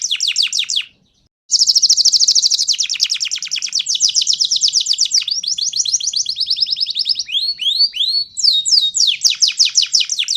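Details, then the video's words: Canary of the panda type singing, used as a training song to stimulate other birds to respond: long loud trills of rapid high notes, sliding rolls, then fast repeated upward-sweeping whistles, with a brief gap near the start. "gacoran burung kenari panda bikin respon"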